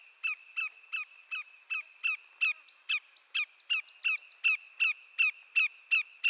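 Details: Greater yellowlegs of eastern North America, a Canadian shorebird, repeating sharp descending whistles roughly three times a second for over six seconds, while higher, softer calls overlap in the middle stretch.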